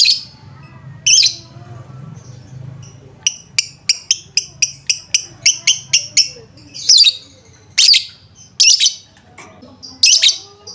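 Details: Lovebird lure for prompting lovebirds to sing: a few harsh screeches, then a quick string of thin high ticking chirps, followed by more loud rasping squawks at steady intervals.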